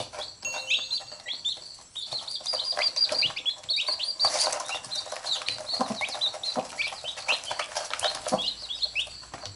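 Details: Mother hen among her chicks as they bite her and she pecks them: continuous high chick peeping with a burst of wing flapping partway through.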